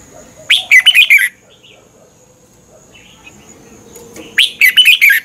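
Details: Red-whiskered bulbul song meant to train or stir up cage birds: two short whistled phrases of about five notes each, three seconds apart, with soft chirps faintly heard in between.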